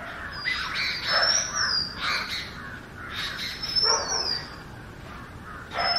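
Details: Oriental magpie-robin song with bright whistled slurs and grating, buzzy notes, phrases repeated roughly every one to two seconds.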